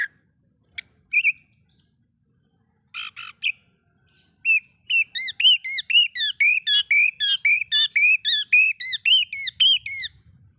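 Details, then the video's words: Oriental magpie-robin singing to provoke other magpie-robins: a few scattered notes and a buzzy burst, then a steady series of about a dozen clear rising-and-falling whistles repeated roughly twice per second. "bikin Kacer Lain ikut emosi coba buktikan dengan suara ini"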